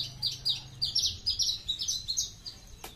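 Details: Caged Horsfield's bushlark of the aliena type, whose song once started can run up to 20 minutes without stopping: a steady stream of high, quick chirped and whistled notes in rhythmic bursts, faint low hum beneath.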